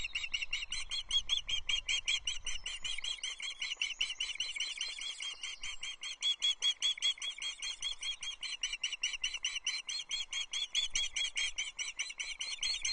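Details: Wild Osprey chicks on a nest at Loch Arkaig, 20 June 2024, just after 6 a.m., as the adult male delivers a small trout; the chicks share it, the older one taking priority. Rapid, high, repeated chirps, about two or three each second, run almost without pause.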